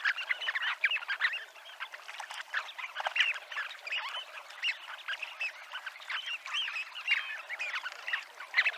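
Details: Dunlin (Calidris alpina) on the seafront promenade at Abruñeiras, Noia, Ría de Noia; a dense, continuous chatter of short, buzzy, overlapping calls from many birds, with no pauses.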